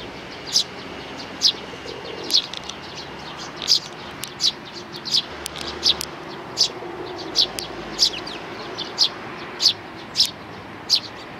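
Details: Sparrow family with chicks, 11 May 2019: clipped high chirps repeated at a regular pace, about one per second, over steady background hiss.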